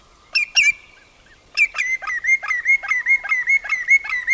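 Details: Common greenshank (Tringa nebularia) call: two ringing notes, a pause, then about ten clear, slightly down-slurred 'tew' notes repeated quickly and evenly; no other sounds.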